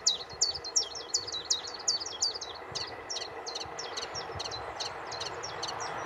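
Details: Common chiffchaff on Aylesbeare Common, 16 June 2020, delivering loud high notes in a quick regular series that fade to a quieter continuation, over a steady broad background hum.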